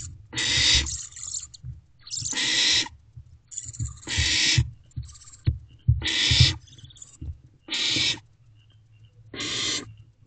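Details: Owlet barn owl inside a nest box just after midnight on 21 May 2023, gulping down a large rodent; it gives seven rasping, hissing screeches, each about half a second long, with scratchy shuffling noises between them.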